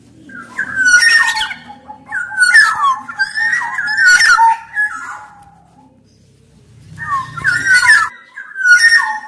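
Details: Black-naped oriole in energetic song, repeated mellow fluted phrases with downward slurs given in a run, a pause of about two seconds, then two more whistled phrases.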